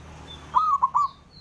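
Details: Single male zebra dove call meant to make rivals answer, a quick hollow phrase of three notes, the first drawn out and the last two clipped, with a thin high chirp behind.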